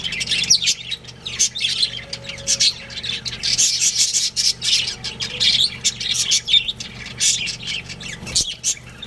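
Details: Budgerigar breeding pair kept as pets, chattering continuously with scratchy squawks and sharp chirps in uneven bursts over a constant low hum, one brief click near the end.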